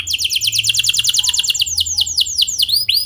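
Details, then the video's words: Canary singing energetically in the clear rolling style called ngeroll, used as a lure to set other canaries singing: a fast run of high, downslurred notes rolls steadily, then breaks into looser, varied swooping notes. "Suara Kenari Gacor Ngeroll Jernih"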